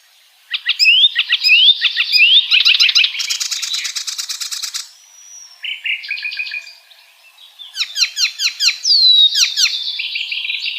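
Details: A wild icterine warbler sings a fast, varied medley of high chirps, sweet whistles and harsh buzzy rattles, with some notes repeated in quick runs.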